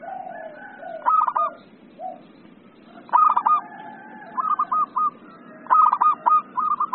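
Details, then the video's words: Zebra dove in an excited 'emosi' song style, used for tutoring and luring birds: rolling, bubbly cooing phrases with quick stuttered notes, repeated several times with pauses between, and a low steady background hum. "SUARA PERKUTUT EMOSI"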